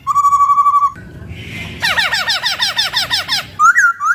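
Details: Laughingthrush song used as a tutor recording for training songbirds: a steady whistled tone held for about a second, a brief hiss, then a fast run of repeated downslurred whistles and two rising notes at the end.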